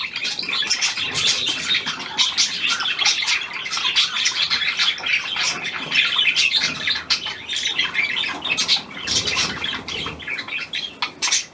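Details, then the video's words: Hand-tame Australian pied budgerigar, newly acquired, on 17 February 2023, keeping up long, lively scratchy chatter full of quick chirps, ticks and squeaks, fading into a few separate clicks at the end. "Ein neuer Handzahmer austr Schecke"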